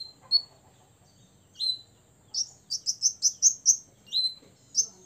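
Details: A six-year-old olive-backed sunbird, kept to provoke rivals, gives high, thin sharp chirps, first spaced out, then a fast run of about eight notes, with a few more after.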